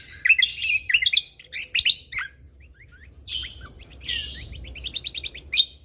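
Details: Lesser green leafbird singing actively as a tutor recording for training cage birds, with shot-like fill notes: dense bursts of sharp chirps and downslurred whistles, a pause, then rapid clipped repeated notes to the end.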